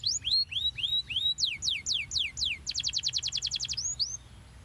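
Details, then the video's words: Canary singing to coax young birds into full, long rolling song: rising slurred whistles, a series of steep descending sweeps, then a rapid chattering trill and two final upslurs, with faint low hum beneath. "pancingan ampuh kenari paud agar cepat gacor dan ngeroll panjang"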